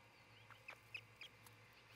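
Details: Osprey at a Montana nest in Charlo, early on 26 June 2018, gives a quick run of four or five thin, sharp chirps in under a second, with a constant low hum underneath.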